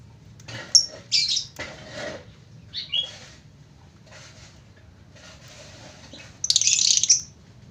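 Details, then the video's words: Lovebird singing in the long-duration ngekek style: scattered shrill, harsh squawks and chirps, high-pitched and separated by pauses, with a louder burst of rasping chatter near the end over a faint low hum. "love bird burung cinta // burung kicau ngekek durasi panjang"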